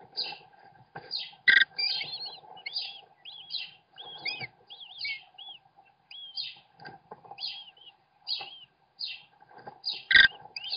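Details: On a webcam at a nest where the father feeds his chicks, American kestrels give high, squeaky, twisting chitters in quick bursts, about two per second, over a steady low hum and a couple of sharp knocks.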